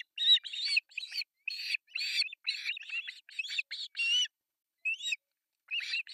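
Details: Osprey chicks, three young in an artificial nest in Pohjois Satakunta, Finland, calling while being fed breakfast on July 1, 2024, nest camera: dense run of shrill, rasping chirps in quick bursts, then a short pause and more.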